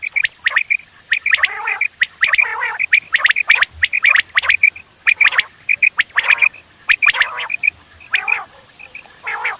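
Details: Quails heard for morning hunting use: many clipped high whistled notes in uneven bursts, overlaid by rough, grating squawks, with more than one bird calling.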